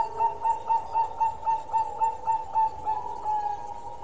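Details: Long song of a Bangkok-type zebra dove, a steady series of soft, even coos repeated about four times a second in an unbroken, rhythmic run.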